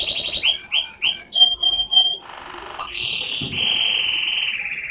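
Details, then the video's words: Canary song made of varied phrases: several short whistled notes, a pure steady whistle, a buzzy higher rolling segment, then a long lower continuous trill. "Beautiful whistling of canary"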